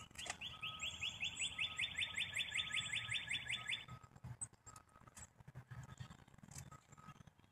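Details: Black-capped chickadee calling: a long, fast series of about twenty harsh, buzzy dee notes run together for nearly four seconds, with faint high thin notes above, then quiet rustling and low background noise.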